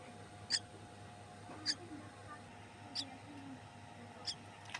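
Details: A hand-reared young Common Myna gives four short, sharp, high chirps, about one every 1.25 seconds, calling for food when it sees its keeper, over a steady low hum and faint voices.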